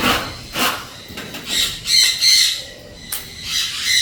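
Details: A pet blue-and-yellow macaw giving harsh, raspy squawks in short bursts, several over a few seconds, with a faint background hiss.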